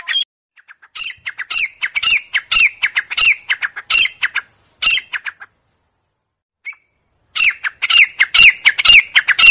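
A grey francolin gives loud, harsh squawking notes, about two each second, in bursts broken by a short pause; no other sounds stand out.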